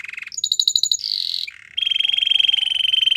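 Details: Belgian canary singing a quick sequence: low rattling trill, higher pulsed chirps, a buzzy slurred phrase, a brief low rattle, then a long steady rolling trill with rapid pulses.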